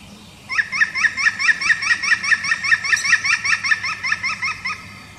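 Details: European green woodpecker calling, recorded in 2019: a loud ringing series of about twenty even, yelping notes at roughly four per second, sustained steadily for over four seconds before stopping, over low background hum.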